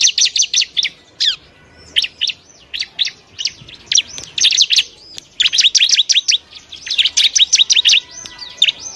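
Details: At the nest, a wild Bar-winged prinia gives sharp, high chirps in rapid trains of several notes, broken by brief pauses, with some softer overlapping chirps between the louder bursts.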